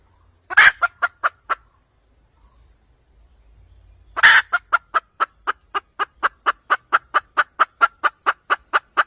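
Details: Wild red junglefowl hen used as a trapping lure, cackling: a loud broad squawk and a short cluck series, a pause, then another squawk leading into a long steady train of sharp clucks.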